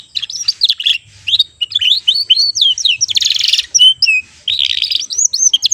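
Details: Young AF canary, a juvenile bird learning to sing and already singing steadily, still in short rolls: rapid bright whistled notes, slurred up and down sweeps and buzzy trilled bursts, pouring out almost without pause.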